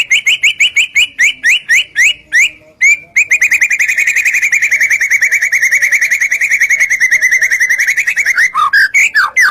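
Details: Loud white-rumped shama song for provoking other shamas: a steady train of clipped whistled notes, then a long, fast, even trill that holds the same pitch, ending in a few slurred whistles.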